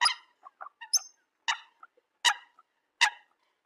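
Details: A Eurasian coot calling its flock with loud, harsh single notes spaced under a second apart, interleaved with softer short squeaks.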